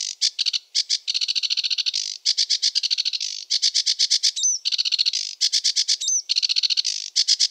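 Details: Sedge warbler song, described as varied, rushed and chattering with some mimicry: dense bursts of rapid scratchy, clicking notes repeated in quick runs, broken by brief pauses, with two short slurred whistles near the end.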